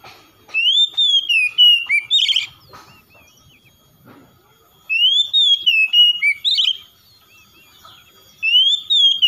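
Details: Oriental magpie-robin (kacer) in lively gacor song: loud whistled phrases that rise, fall and slur, with sharp chirps, sung in bursts of about two seconds separated by short silences, three bursts in all.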